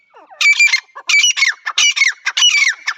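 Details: Partridge calling: loud, harsh, high-pitched notes in rapid bursts of two or three, each with a falling buzzy tail, repeated about every half second with short pauses between phrases.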